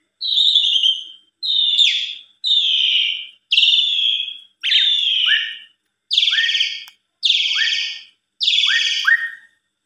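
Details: Asian pied starling used as a singing lure for other starlings, 'mompa full isian' style: eight separate harsh, buzzy, slightly descending notes, each about half a second long, repeated roughly every second with a short lower tail on later notes.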